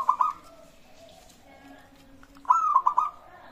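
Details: Local zebra dove singing, used to prompt other doves to sing: short staccato coos around one pitch open the passage, then after a pause a second run of four quick coos, over a steady low hum.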